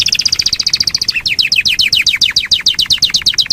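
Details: Yorkshire canary producing a long rolled passage of fast, rhythmic, choppy notes, repeated steadily throughout with a slight shift in tone partway.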